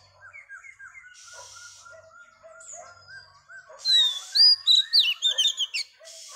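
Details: A female Oriental magpie-robin sings to rouse males, starting with a soft chatter of low repeated notes, then bursting into a bright, fast series of loud whistled and warbled syllables.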